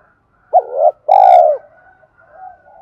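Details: Spotted dove giving a 'thúc' style coo used to provoke wild doves: a short rising first note, a brief gap, then a longer, steady, mellow second note, followed by faint soft cooing.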